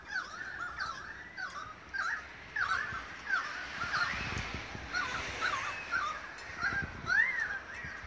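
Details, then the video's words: Several Australian magpies in a long August 2015 concert in Beverly Hills, Sydney, Australia, trading short warbled, twisting notes in a steady stream over about eight seconds, ending with a clear rising-falling swoop. "Magpie concert"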